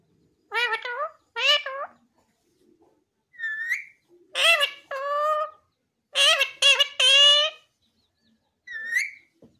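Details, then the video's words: Captive talking parrot, said to speak the word 'bete' and to say everything, repeats harsh, speech-like phrases of rich stacked tones, each burst about half a second to a second long, with brief pauses and a short higher note near the end. "बेटे बोलने वाला मिट्ठू parrot🥰 ये तोता सब कुछ बोलता है |Parrot Talking Video 🦜🤗|Parrot Voice"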